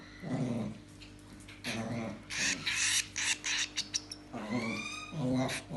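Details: An eight-day-old hand-fed cockatiel chick gives quick, raspy, rhythmic bursts of begging calls during hand-feeding, with a person talking softly nearby.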